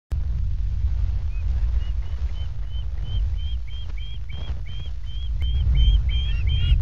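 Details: Juvenile ospreys at the Loch of the Lowes nest, Scotland, at 21:39 on 19 August, screech as a barn owl buzzes the nest: high, thin, upslurred whistles, about three a second, growing faster and louder, over a steady low wind rumble.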